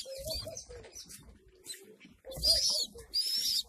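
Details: Homing pigeons in their loft, where racing pigeons feed their young: a low, soft coo repeats several times, and sharp, high squealing bursts break in around the middle and near the end.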